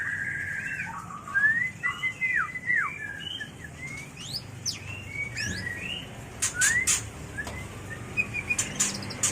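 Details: White-rumped shama mating call for training and luring birds: varied whistled notes, rising and falling sweeps and quick slurred phrases, with sharp clicks toward the end.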